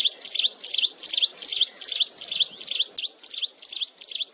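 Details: Mountain wren singing continuously and shrilly, recorded close up: a rapid, even series of high, sharp V-shaped notes, dipping then rising, about two and a half per second, over a faint low background hiss.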